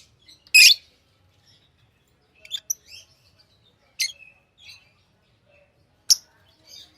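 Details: Pet lovebirds give isolated piercing chirps spaced one to two seconds apart, with soft little twitters between them in an otherwise quiet room.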